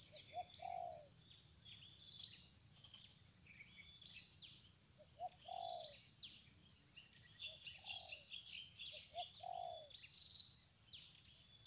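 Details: Spotted dove used as a decoy during a tabir-style trapping session, recorded on a phone. Soft cooing phrases of two or three low notes, repeated every couple of seconds, are partly masked by a steady high insect drone.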